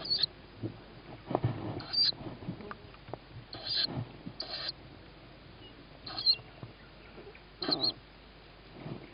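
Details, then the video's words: Tawny owl owlet begging during feeding, 21 May 2017 at 21:38; repeated high raspy squeaks scattered among frequent knocks, scratching and shuffling movement noises. "Tawny Owl-Small hears Mom,first food for sib on roof,then feeding"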